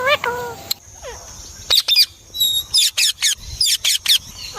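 A rose-ringed parakeet talks in a high, squeaky voice, first a few speech-like syllables, then a quick run of sharp, chattering notes.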